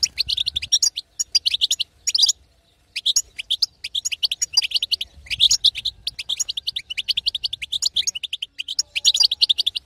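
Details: Female European goldfinch giving a betbeta call, meant to excite a silent male into singing; dense bursts of high, twittering chirps in rapid clusters, one brief pause near the second second, then continuous chattering to the end.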